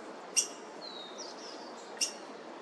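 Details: Three black-headed grosbeak nestlings in a South Eugene laurel being fed by parents, 26 June 2023. Two sharp clicky notes with thin, slurred high whistles between them, over steady mechanical hum from distant pressure washing.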